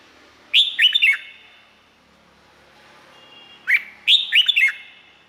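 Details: Red-whiskered bulbul, Thailand, singing for training or stimulating other birds: two cheerful phrases about three seconds apart, each a fast string of bright, bouncing whistled notes dipping and rising, over faint background hiss.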